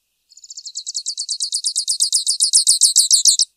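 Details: Song of a grassland yellow finch (Sicalis luteola): one rapid trill of high, slightly buzzy notes, around twenty-five repetitions in three seconds, starting soft and growing steadily louder before stopping abruptly.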